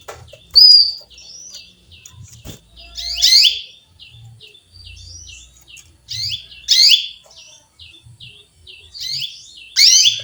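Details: Female canary calling out to a male: strong, sweeping chirps repeated roughly every three seconds against a steady background of quieter, rapid twittering notes.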